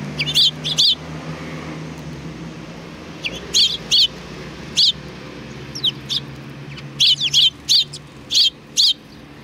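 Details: At a Tenmangu shrine on 3 July 2020, sparrows gather in greeting, giving short high chirps in irregular clusters of two to four, with quieter distant notes in between.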